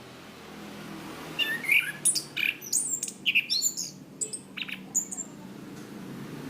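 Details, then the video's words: Orange-banded thrush, kept as a songbird, recorded as a master song for training. Rapid, scattered high chirps and short sharp notes run on for about five seconds against steady background noise. "Masteran Anis Kembang | Punglor Gacor Ngeplong Mantap"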